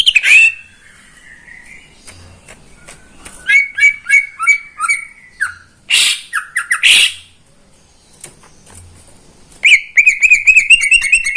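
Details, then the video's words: Morning song of a caged greater green leafbird in Indonesia: harsh squawky notes and whistled phrases, a quiet pause, then a rapid buzzy trill of repeated notes. "Kicauan cucak ijo di pagi hari"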